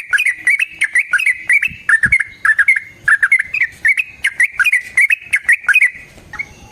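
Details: Yellow-vented bulbul with a clear fighting song used as a lure and training recording: loud, bubbly, warbling phrases of quick up-and-down notes in a continuous stream, fading to quiet at the end.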